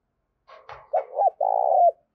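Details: Spotted dove calling to lure wild doves: a couple of soft low notes, then two short hoarse coos and a longer, sustained purring coo ending with a slight downward slur; quiet background.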